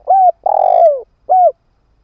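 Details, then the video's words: Decoy spotted dove, a ground-kept lure bird, calling to draw in wild doves: a short low hooted note, a long buzzy coo sliding downward, then a clipped final hoot, in a quiet setting. "Tiếng chim cu mồi đất kích bổi hiệu quả"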